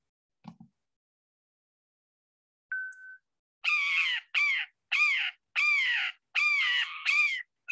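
Brown Jay: a short, clear whistled note, then six loud, harsh, screaming calls in quick succession, each under half a second and almost without pause.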